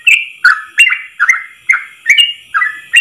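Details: Continuous ropel song of a yellow-vented bulbul, recorded to train other birds of its kind: quick liquid whistled phrases, each a short slur dipping then levelling, repeated steadily in a clean setting.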